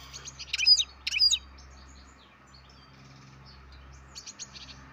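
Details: Young captive-bred European goldfinch sends out a quick pair of sharp twittering chirps, then only scattered faint notes over a steady low hum.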